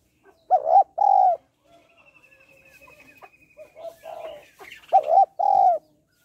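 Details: Spotted dove hen calling to rouse males: a hollow paired coo at the start and again near the end, with rapid soft clucking and mixed bird chatter between them.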